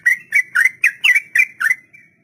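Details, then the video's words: Sooty-headed bulbul long ropel song for tutoring young captive birds: seven bright, slurred whistled notes in quick succession, each rising then dropping, ending with a soft trailing note. "Trucukan Ropel panjang || masteran buat burung trucuk pemula"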